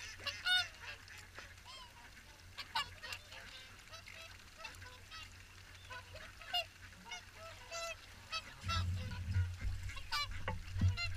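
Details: Many swans call together during the morning feed at WWT Caerlaverock: overlapping nasal honks and bugling notes form a dense chorus, with low rumbling noise rising near the end.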